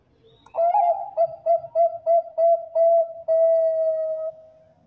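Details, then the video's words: A Bangkok zebra dove, a champion-voiced bird used to lure others, sings a slurred opening coo, about eight quick rounded notes, and then a sustained drawn-out final note that fades away. "PERKUTUT BANGKOK GACOR JUARA SUARA AMPUH DIJADIKAN PANCINGAN PERKUTUT BANGKOK LAIN"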